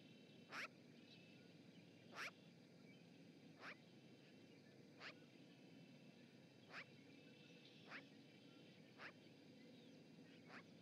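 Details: Chatty magpie at an osprey nest in Charlo, Montana, on a live camera, 7 March 2018: a loose series of about eight harsh, rasping notes, irregularly spaced one to two seconds apart, over low background noise.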